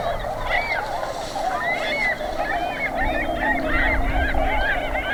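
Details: Tundra Swans on spring migration through southwestern Ontario, near Pinery Provincial Park. Higher, rising and falling bugled whoops ring out over a dense lower chorus of honks, with rumbling wind or water noise underneath.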